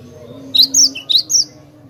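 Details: Cinereous tit singing melodiously, a lure recording: two rapid phrases of a sharp high whistle followed by a lower clipped note, over a soft steady drone.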